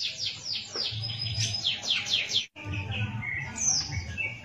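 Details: Grey-cheeked bulbul singing for use as a tutor recording: quick series of sharp descending high chirps in short bursts, broken by a brief gap, then more varied chirps with low background hum.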